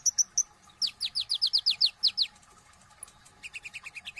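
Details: Sunbird known as konin in full song: a few high chirps, then a rapid series of about ten downslurred whistled notes, then a softer patter of high twittering notes.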